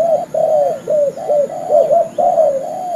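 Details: Spotted dove trapping lure: mellow, hollow coo notes follow one another in a tight rhythmic run, some curving upward then dropping. The background is quiet.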